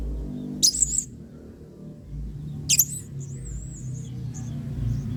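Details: Blue-crowned hanging parrot, an energetic singer used as a model for training other birds, gives two sharp, shrill squeaky bursts a couple of seconds apart, followed by a thin wavering high whistle.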